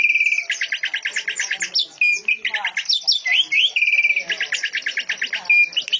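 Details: Greater green leafbird singing in canary fashion: a steady whistle leads into a fast chattering trill, then swooping rising and falling whistles, another level whistle and a second rapid trill.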